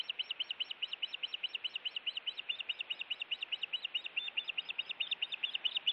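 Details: Osprey defending its nest against intruders, Montana nest camera, 16 June 2017 evening; a continuous rapid string of sharp high whistled chirps, roughly six per second, steady and insistent for the whole stretch.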